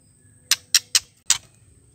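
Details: Female white-rumped shama click calls, used to spur males into singing: four hard, dry, broadband ticks spaced about a quarter second apart over faint background hum.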